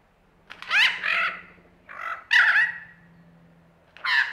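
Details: An Australian lyrebird performing gives harsh, raspy, squawking phrases in three bursts roughly a second and a half apart, over a faint steady low hum.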